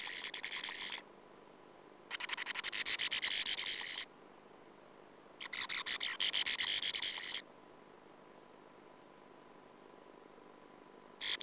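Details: Sand martin at a colony nest hole, filmed by a nestcam in 2009 amid a persistent intruding female; harsh, buzzy chattering comes in three bursts of one to two seconds separated by quiet pauses over a steady low hum.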